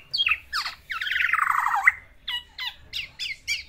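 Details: Caged black-naped oriole courting a female: two sharp falling notes, a long harsh rasping squawk, then a string of short slurred whistles in pairs.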